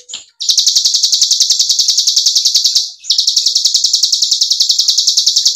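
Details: White-eye (cigun) in a long continuous 'ngebren' style trill, used to coax silent birds into singing again: a dense, buzzy, high rolling trill pulsing about three times a second, broken by one brief pause.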